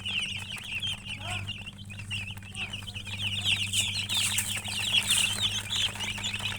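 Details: Chicken chirping: a continuous stream of high, thin peeping notes, fast and irregular, some louder sharper cheeps toward the end, over a steady low electrical hum.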